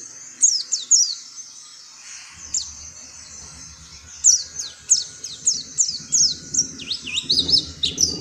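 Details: Oriental white-eye uttering high, thin down-slurred chirps, at first singly and then in a brisk rhythmic string ending in rapid twittering, with faint low background noise in the second half.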